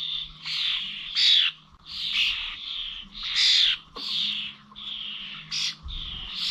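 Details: Common starlings at Corby old village bird feeders on 21 November, giving repeated harsh, buzzy screeches about every second or so, with softer chatter between and a low steady hum.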